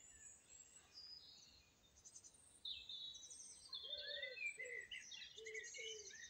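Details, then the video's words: Song thrush in song, rapid high chirps and whistled motifs with repeated figures; a few lower, short hooted notes sound beneath the phrases in the second half. "Song Thrush singing"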